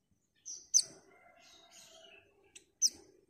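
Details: Female white-eye calling to a male: sharp high chirps near the start and end, with fainter thin twittering notes between them.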